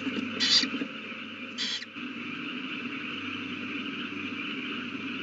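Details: Owl calling at its nest beside a newly hatched chick, evening of 18 April 2019 at 8:32 pm. Two short rasping hisses come close together early on, then only a constant electrical hum.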